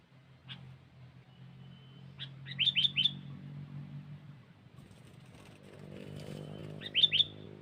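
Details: Sooty-headed bulbul lure song. Quick phrases of three or four bright, sharp whistled notes come twice, about four seconds apart, over a steady low hum and faint background noise.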